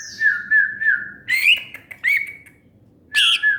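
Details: Greater green leafbird whistling a steady warbling tone, then a few loud rising slurred notes and a final bright burst.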